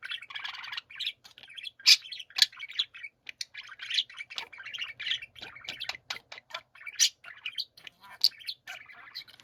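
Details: Pet budgerigars singing as a group, fast chattering warble broken by many short clicking ticks and bright squeaky chirps, with a buzzy grating texture running through.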